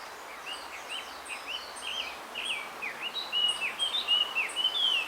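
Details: Bamboo grove, male blue rock thrush seeking a female: short whistled notes and downward slurs, building into a louder sweeping, warbled phrase, with thin high chirps from another bird repeated throughout.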